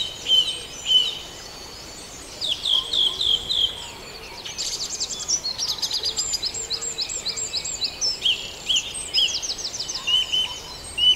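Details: Mixed birdsong of a Farndale dawn chorus: clear repeated whistled notes, fast descending trills and chattering phrases from several overlapping singers above faint hiss.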